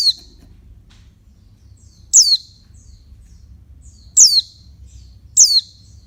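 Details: Oriental white-eye female calling to rouse males, with a faint note at the start then three loud, piercing descending notes roughly every one to two seconds over a low background hum.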